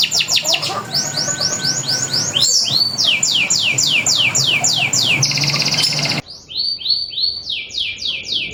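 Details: Local canary's energetic prompt song, used to set other canaries singing: fast series of sweeping whistled notes, a short buzzy trill, then an abrupt quieter stretch where the repeated sweeping notes carry on.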